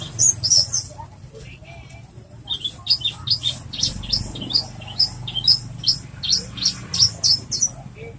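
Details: Horsfield's bush lark (branjangan) in energetic song, used to train or provoke other birds. A rapid string of bright, high chirps repeated about twice a second, following a few opening notes, over faint low hum.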